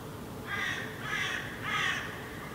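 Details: Hooded crows (Corvus corone cornix) call in the background under a setting full moon over rooftops in Helsinki, Finland, in July 2016. Three harsh, hoarse caws, each about half a second long, come in steady succession over faint hiss.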